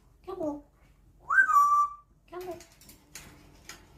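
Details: Captive African grey parrot indoors, chatting and making very loud noises: a speech-like murmur, then a loud sliding whistle that rises and levels off, followed by more low talk-like syllables and soft clicks.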